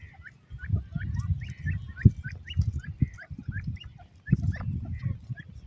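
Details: Grey francolin, male and female: a run of short rising notes repeated roughly every half second with a brief pause, over a steady low rumble of background noise.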